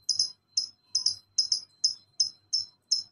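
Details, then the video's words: Lovebird master recording for ngekek, used to get quiet birds calling back: a steady series of short, sharp, high chirps, some doubled, repeated about every third of a second, with a faint low hum underneath. "Masteran Lovebird Ngekek santai dilanjut speed rapat burung diam pasti nyaut"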